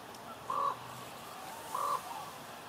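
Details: Two clear, evenly spaced croaks from common ravens in Juneau, Alaska, each about a quarter second long, with quiet gaps between and faint background noise.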